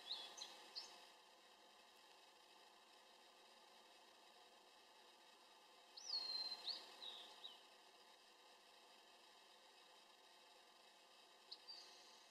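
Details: Blue-and-white flycatcher singing in 2013, the first one heard that year as summer birds arrive in spring: a single high, clear whistled phrase sliding downward, with faint notes before and after, over a steady hiss.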